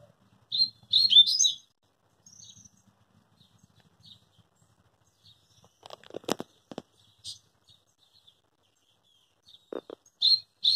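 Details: Rusty-collared seedeater with two brief bursts of bright, fast twittering, one near the start and one at the end. A cluster of sharp knocking sounds fills the gap between them.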